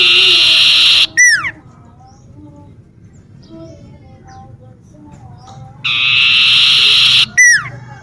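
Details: A common iora in a garden near home repeats its phrase twice: a long, loud, buzzy trill of over a second, each time closed by a quick downward-sliding whistle, with quiet gaps between.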